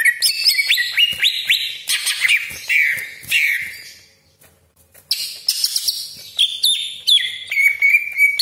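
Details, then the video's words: Greater green leafbird, cucak ijo, with its full, rolling song used to provoke rivals: bright whistles and fast downward slurs pour out for four seconds, a brief silence, then more ringing high phrases and a steady whistle. "CUCAK IJO GACOR DOR TEMBAKAN TAJAM BESETAN KASAR ROLL PANJANG FULL ISIAN"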